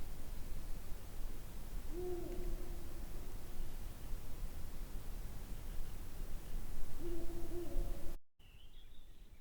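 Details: Ural owl hooting, one of its three main vocalizations: two deep, low hoots about five seconds apart, each slightly wavering, against constant low-pitched background noise, then a brief cut to a faint higher whistle.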